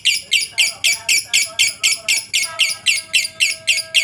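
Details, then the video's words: Lovebird performing long ngekek chatter, a master recording for training other lovebirds to sing: harsh, raspy squawked notes repeated evenly about four per second throughout, with a faint steady tone and low hum behind. "masteran burung Lovebird ngetik,ngekek cocok buat lb lain biar cepat gacor ,ngekek panjang"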